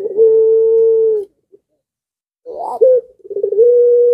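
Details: Dove of the puter pelung style, in breeding fervour, setting off neighbouring doves: a long, steady, low coo, a brief gap, then an upward hiccup, a rolling trill and another drawn-out level note.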